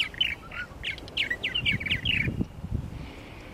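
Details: Purple martins at nesting gourds, Lake Mackintosh, Gibsonville, North Carolina: loud, close, squawky chirps and croaking warbles tumble out for two seconds, then fade into outdoor hiss.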